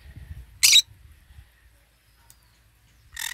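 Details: Green-cheeked conure eating and basking in the morning sun: one loud, harsh, broadband screech, then quiet low handling or eating rustles, and a second rasping squawk starting at the very end.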